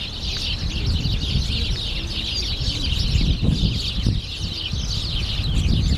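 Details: A flock of house sparrows bathing in sunlit spring puddles in Friendship Park, Moscow, on 3 March 2014, chirps continuously with many overlapping short, bright cheeps, over a steady low rumble of city or wind noise and some wing flutters.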